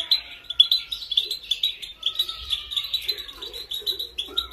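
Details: Female European goldfinch motivational training song for male goldfinches: a continuous run of bright, rapid twittering chirps, closely packed and slightly wavering in pitch, with short soft notes underneath and no other clear sounds.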